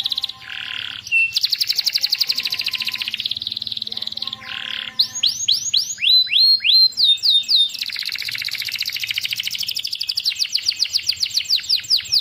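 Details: Canary tutor song for stalled canaries. Dense buzzy rolling trills alternate with a quick series of clear downward-sweeping whistled notes, then rapid pulsing trills to the end.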